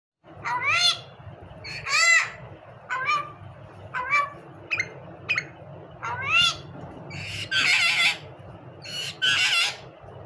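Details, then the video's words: A Common myna kept as a talking bird gives a series of short, upward-curving whistled notes about once a second. Toward the end come two harsh, grating squawks, all over a steady low hum. "mayna talking bird khandari mayna"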